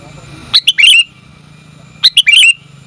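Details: Sooty-headed bulbul female calling to a male, a lure recording: two clusters of sharp, scratchy chirping notes, each a quick stutter of three notes, separated by a pause of about a second.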